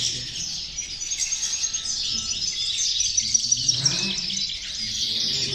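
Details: European goldfinches singing, meant to motivate goldfinches: a steady high-pitched twittering chorus of chirps and trills, with a short rising slide and low background rumble near the end.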